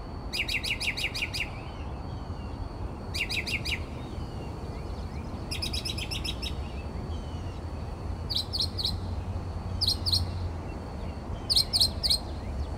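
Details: Night-singing mockingbird in Texas, 4 am, outside a window: repeated phrases of fast, rattling buzzy notes in runs, each run changing slightly in pace and pitch, with low rumbling background noise.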